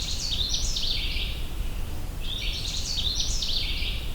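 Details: Canada Warbler singing on the Minister Creek Trail, Allegheny National Forest, Pennsylvania, on 6 June 2023: two quick, bright, jumbled warbling phrases about two seconds apart, each rising and falling in a chattering run, over a steady low rush of stream or wind.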